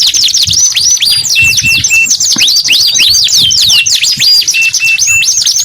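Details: Energetic canary song of dense high trills, swooping whistles and repeated short flat notes, delivered almost continuously with little background noise.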